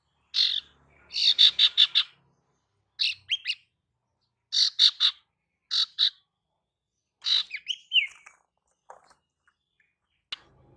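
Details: Calling female ashy tailorbird, used to lure males, delivering clustered bursts of fast, harsh chirping notes separated by short pauses, with a twisting whistled phrase late on and otherwise quiet surroundings.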